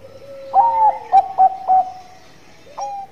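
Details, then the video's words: Singing zebra dove, Bangkok variety, in manggung song: a drawn-out coo, then three short punchy coos, a pause, and a final softer coo. A low, level coo from another bird runs underneath. "Perkutut Bangkok Gacor Manggung"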